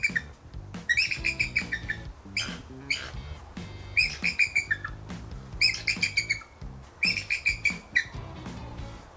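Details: Bald eagles in a zoo enclosure in Montgomery, Alabama, giving repeated high-pitched chattering calls, each burst a rapid string of thin piping notes, several bursts spaced about a second or two apart over steady background music.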